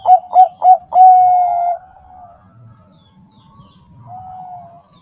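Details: Bangkok-type zebra dove, a frequent singer, used as a lure to get caged doves singing: three short mid-pitched cooing notes, then one long level note, followed by quiet with a faint later coo.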